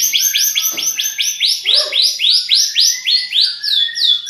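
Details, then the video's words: A champion White-rumped shama delivers its rich 'isian' song material as a rapid, steady run of about fourteen ringing downslurred notes, repeated several times a second with hardly a pause. "MURAI BATU JUARA MATERI ISIAN MEWAH"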